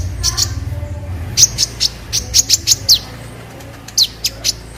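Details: Masteran recording of an olive-backed sunbird, called kolibri ninja: short groups of high, sharp, downslurred chips over a low rumbling background.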